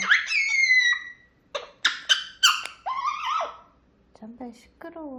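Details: Morning calls of an indoor grey parrot: a long falling whistle, then clipped squawky notes, a level whistled phrase and soft low warbles.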